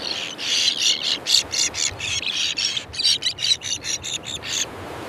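Common terns calling in a busy colony: harsh, grating notes in rapid overlapping bursts, about two a second, high-pitched, with many birds calling at once.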